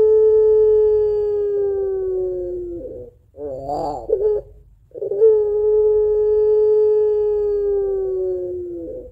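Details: Barbary dove, puter pelung type, calling its long crying two-note coo used as a lure: a long slightly falling tone, a brief cluster of quavering notes, then a second long tone lasting about three seconds.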